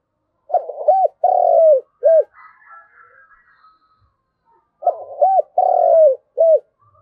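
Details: Decoy spotted dove cooing to call its flock: two phrases, each a short coo, a long drawn falling coo and a final brief note, separated by a pause with faint high chirps from another bird.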